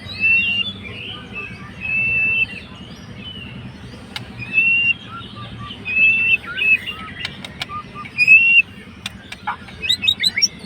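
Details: White-rumped shama, a fighter bird, singing to provoke a rival: varied clear whistles, slurred sweeps and short chattering notes in separate phrases, with a few sharp clicks.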